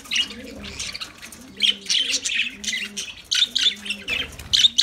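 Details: Lovebirds produce busy, overlapping high chirps and twitters in dense bursts, with gentle low coos behind them.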